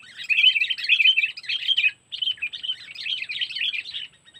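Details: Sooty-headed bulbul lure in the Lampung 'cengkeram' trapping style: two phrases of busy, warbled chatter split by a brief gap, the second softer and more even.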